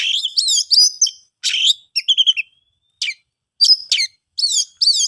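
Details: Oriental magpie-robin song intended to draw silent birds into singing: dense, varied warbling with swooping chirps and short trills, broken by brief pauses.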